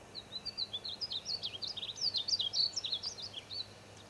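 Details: A painted bunting singing in the Wichita Mountains, Oklahoma, gives a sweet, rapid warble of high, slurred notes rising and falling for about three seconds, over a faint background hiss.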